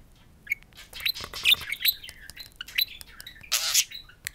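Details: Pet budgerigars, one of a talking pair, chatter while speaking to a mirror: a dense run of scratchy warbles, chirps and harsh squawky bursts, with a sharp high note at the end.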